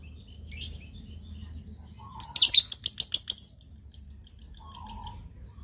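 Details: Lovebird call used to get other lovebirds to reply: a short chirp, then a fast burst of harsh shrieks leading into a quick series of high repeated chirps, about three or four per second, fading out.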